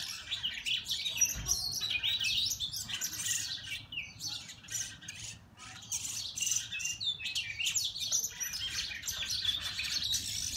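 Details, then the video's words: Oriental magpie-robins fighting, trading rapid, harsh chirps and squeaky high notes, several each second with no steady rhythm. "Fighting of Oriental Magpie Robin (धोबिनी चरा)"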